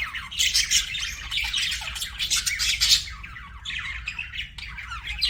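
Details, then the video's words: Pet budgerigars chirping in a dense, continuous chatter of scratchy, warbling notes, with several birds seemingly calling over one another without pause. "BUDGIE CHIRPING SOUNDS"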